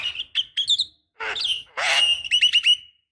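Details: Javan myna, female calling a male, used as a lure: harsh scratchy bursts mixed with clear whistled notes near the top, ending in a rapid run of short sharp chirps.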